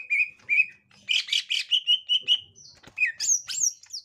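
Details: Green leafbird, a captive 'gotri' bird meeting a young wild one: steady whistled notes, a burst of harsh chattering, then high looping whistles at the end.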